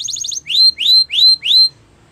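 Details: Canary training song fragment: a short burst of quick notes followed by four long, rising whistled slurs spaced about a third of a second apart, then quiet.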